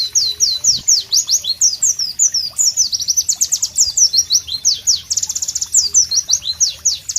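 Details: Loud, sharp, melodious pleci song in a natural tropical setting, an unbroken chatter of high downward-sweeping notes mixed with quick buzzy trills, delivered several notes per second.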